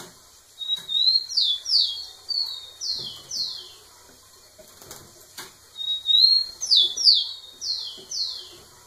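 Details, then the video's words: Rufous-collared sparrow singing close to a female; two full phrases of a thin rising whistle then a series of downslurred notes, separated by a few seconds of quiet with soft rustling. "Tico tico cantando muito na cara da fêmea"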